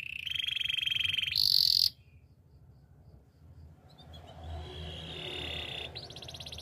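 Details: Spanish timbrado canary training song. A loud metallic trill rises into a piercing high note, then fades to near quiet before a soft level trill and a fresh rapid roll return.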